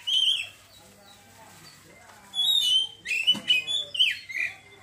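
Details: Oriental magpie-robin in ngeriwik style: a short whistled phrase at the start, a long near-silent gap, then a cluster of slurred, swooping whistles and chatter toward the end.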